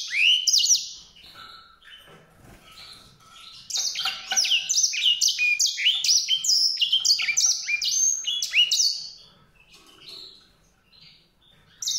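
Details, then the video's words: Greysinger, or white-rumped seedeater, with a soft opening note, a quiet gap, then a lively run of high, fast chirps and slides lasting several seconds before fading. "song canário-de-sobrebranco, Weißbürzelgirlitz, Edelzanger, kanárik sivý, zvonohlík šedý, greysinger"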